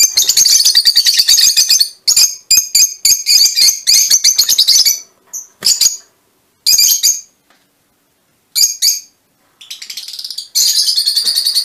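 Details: Shrill chattering from mutation Fischer's lovebirds: a dense burst of harsh squeaky notes, then scattered short chirps and squeals with silent gaps, and a rough chattering burst at the end.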